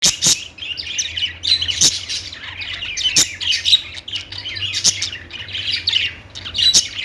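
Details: Budgerigars chirping in a busy group, with dense overlapping high twittering and warbled chatter, sharp clicks and scratchy squawks breaking through at irregular intervals, and a faint low hum underneath.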